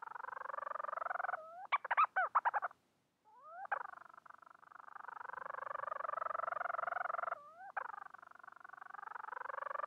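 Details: Calling for a mate, a Bermuda petrel gives long pulsing moans interrupted by rising slurs, with a burst of quick stuttering notes, a short silence, then steady throbbing wails again.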